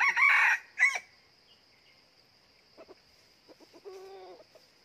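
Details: A red junglefowl used as a decoy, tried out of season, gives a loud, harsh, clipped crow in two quick bursts, then softer throaty clucks over a thin, steady insect whine.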